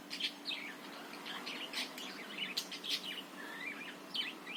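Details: Budgerigar chattering song for stirring other birds to sing, with dense twittering, squeaky notes and a few rising whistled slurs running almost without a break.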